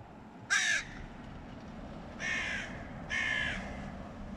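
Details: Hooded crows: while young crows eat, two males from rival neighbouring clans fight over meat. Three harsh, raspy caws are heard, the first short and loud, then two longer and broader ones, over a low background rumble.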